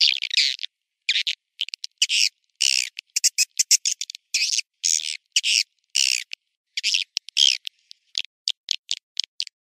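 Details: Swiftlet lure call played for swiftlet farming in Indonesia: short, high, rasping chirps and buzzy chatters, repeated in rapid irregular bursts with abrupt silent gaps between them.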